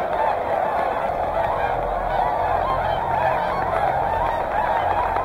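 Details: Many Whooper and Tundra swans at Hyoko, Niigata, honk loudly and continuously, their nasal calls merging into one dense, pulsing chorus with a low rumble underneath.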